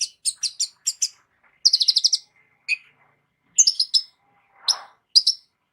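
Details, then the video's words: Van Hasselt's sunbird kept as a vocal tutor, its repertoire rich and complete: crisp high chirps spaced apart, a short fast rattle, then further isolated sharp tweets. "KOLIBRI NINJA MEWAH ISIAN LENGKAP COCOK JADI GURU VOKAL UNTUK BURUNG JAGOAN KALIAN"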